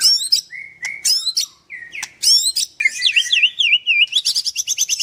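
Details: White-rumped shama at a bird farm in Kendal, singing in the rapid nembak style: sharp high chips, a steady whistled note, then looping wavy whistles and a dense buzzy chatter near the end.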